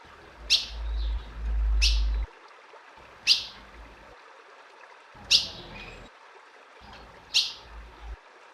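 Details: Calls of a female ultramarine grosbeak meant to rouse a male, five loud, abrupt chips spaced about one and a half to two seconds apart, with an intermittent low rumble underneath.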